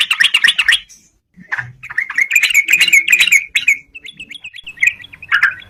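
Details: Yellow-vented bulbul singing as a fighting challenge to rivals, used for luring: a rapid scratchy burst, a pause, then warbled chattering phrases and a run of short whistled notes.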